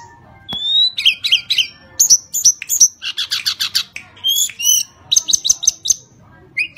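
A Sunda robin sings a lively, high song: a clear rising whistle, then quick repeated chirps, buzzy rattling bursts and sharp piercing notes in rapid succession.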